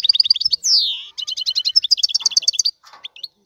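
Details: Excited male European goldfinch song for bringing a female into breeding condition: quick doubled chirps, a long descending whistle, then a lively run of twittering notes fading to a few soft calls.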